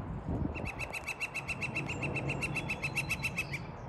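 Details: On a sunny Seattle morning, a woodpecker atop a metal chimney crown, thought to be calling to attract a female on the opposite roof, gives a fast, even series of about twenty sharp, ringing notes over three seconds; low traffic rumble underneath.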